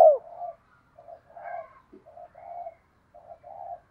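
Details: Spotted dove calling to lure birds, quieter and more distant: a sharp opening note, then a series of soft, low, murmuring coo fragments in short groups with brief pauses between them.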